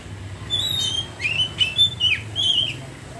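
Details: Oriental magpie-robin singing in the ngeriwik style: a run of loud whistled notes, some sliding down and some rising, packed into about two seconds, with a low steady hum underneath.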